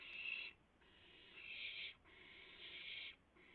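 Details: Owl at a nest as a rabbit is delivered at night, 3:38 AM, April 7, 2016; four harsh hissing bursts of varying length, the middle ones longest, with short quiet gaps.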